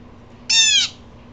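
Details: A single loud, strident, buzzy jeer from a blue jay upset again, lasting under half a second, with only a faint low hum around it.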